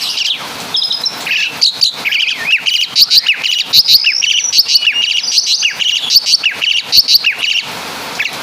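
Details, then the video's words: Javanese Asian pied starling singing a mimicry song of other birds' calls: a varied, fast stream of high chirps, slurred whistles and short trills with brief gaps. "Burung Jalak Suren Full Suara Kapas TembaK"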